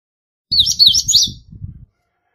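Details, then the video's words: Indigo bunting song of high, slurred paired notes over a low rumbling noise, the song fading into a weaker closing phrase. "Azulejo Indigo Canto! Llamado! Sonido! Cantando! - Indigo Bunting Song - Passerina Cyanea"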